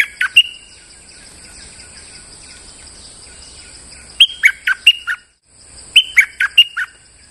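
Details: Molting streak-eared bulbul used as a lure recording, singing freely: a short chirp pair, a pause, then two fast phrases of four to five sharp, slurred notes each, with a constant thin high hum behind.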